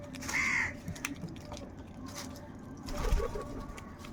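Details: A large gathering of crows fighting for food. Opens with a strong, harsh, hoarse caw, followed by fainter calls and rustling, with a low rumble and a brief burst of noise later on.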